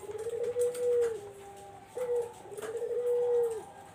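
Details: Barbary dove used to lure zebra doves, giving two-part calls. A brief low note leads into a long, steady, rolling coo. The pattern repeats twice in quick succession.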